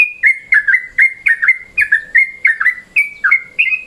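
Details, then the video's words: Yellow-vented bulbul calling in midday mode, a sound used to lure birds: a jumble of bright whistled chirps, paired and irregular, some bending downward, others flat and clear. "SUARA TRUCUKAN MODE SIANG"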